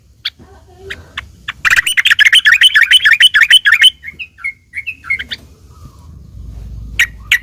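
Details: Sooty-headed bulbul in fighting mode, song used to goad other birds into replying; a few scattered chirps, then a fast two-second chattering burst followed by softer separate whistled notes.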